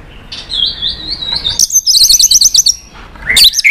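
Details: White-rumped shama song for stimulating and training other shamas: a wavering high whistled trill, then a rapid series of very high sharp notes, ending with a loud rising slurred whistle.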